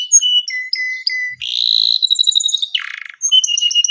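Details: Canary singing long gacor song for mastering: separate whistled notes at shifting pitches, then a fast buzzing roll, a lower harsh burst and renewed bright whistles.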